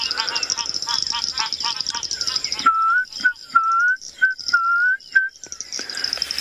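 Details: At sunrise on 14 December 2021, in southern Africa, a Klaas's cuckoo calls in the background with short, clear, slightly rising whistled notes, about two per second, after a man speaks over a steady high insect hiss.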